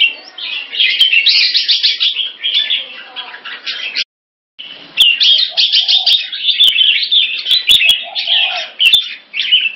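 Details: Red-whiskered bulbul, kept in Singapore, in a fast wing-display rotational sparring session: long bouts of dense, bubbling warbled chatter broken by a half-second gap, with occasional clicks and faint lower notes.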